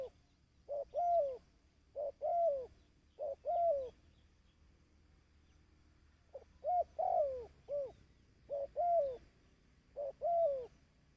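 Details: ['Dove calling, a recording used to stimulate and train decoy birds. Mellow, low coos: a short clipped note followed by a longer arched, falling coo, repeated in steady phrases, with a pause midway before the series resumes.']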